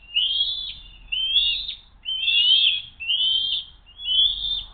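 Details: During a food steal attempt at an eagle nest, 07-02-2023 around midday, 12:10; five high, squealing whistled notes, each rising then levelling, spaced about a second apart.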